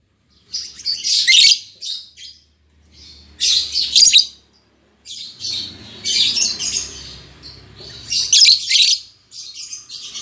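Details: A freshly paired albino MM male and lutino MM female lovebird give loud, raspy, shrill bursts of chatter roughly every two seconds, with a soft low rumble in the background.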